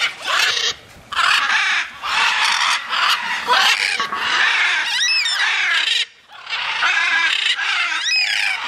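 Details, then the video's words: Macaws in free flight screeching almost without pause, loud harsh broadband squawks broken by short gaps, with a few wavering tonal notes in between. "flying macaws"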